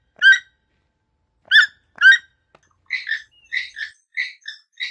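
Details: Three sharp, harmonic toucan notes with long gaps between them. They give way to a rapid run of doubled, yelping notes alternating slightly in pitch, repeated several times.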